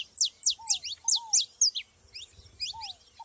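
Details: Saffron finches in the wild give a rapid series of bright, steeply falling high chirps, about four a second, then softer ones. Lower curved whistles from another bird recur in the background.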